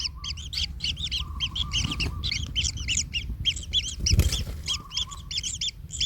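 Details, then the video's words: Young kingfishers in the nest while a parent tramples a chick: crowded, grating calls repeated in quick succession, a faint steady whine in places, and a rough rustling burst midway. "Anak Tengkek Terinjak Induknya Hingga Kesakitan - Baby Kingfisher bird nest"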